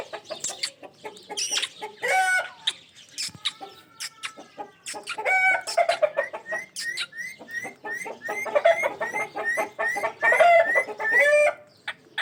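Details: Pet ringneck parrot chattering busily: dense clicks and short squawks, a few drawn-out harmonic notes and quick rising whistles running together throughout.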